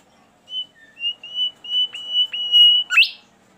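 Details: Bimoli bird singing eagerly and sweetly: a clear, near-silent background behind a chain of sustained level whistles at one high pitch. One lower note breaks the chain, which ends in a sudden loud rising squeal.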